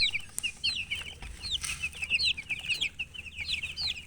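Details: Several chicks cheep continuously, high thin peeps with rising and falling slurs, packed closely and repeated throughout, some louder individual calls standing out over the chorus.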